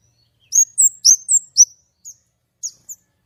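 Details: White-rumped shama with a clear voice giving a short phrase of high, sweet slurred whistles, five quick notes followed by scattered softer ones.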